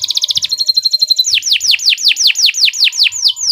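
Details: Canary singing master song for training other birds: rapid pulsed trill and steady repeated notes, then a long series of clear downward-swooping whistles about three per second.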